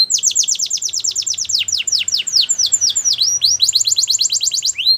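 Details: Canary training song for young birds: a vigorous, fast stream of high chirps in rolling tours, briefly slowing to a few broad sweeps before racing on again, clean and without other sounds.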